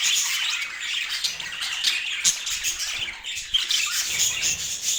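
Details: Domestic budgerigars chatter steadily, their scratchy warbling and squawks layered densely at high pitch, dipping briefly midway before resuming.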